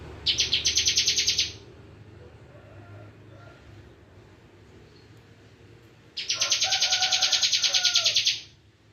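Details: Bar-winged prinia singing in full 'bren' style: two bursts of rapid, evenly pulsed buzzy trilling, each about a second and a half long, separated by a quiet gap with faint low background hum.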